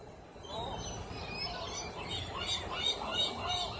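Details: Feeding gulls at Rockaway Beach squawk with rising and falling calls that grow busier toward the end, over constant outdoor rumble.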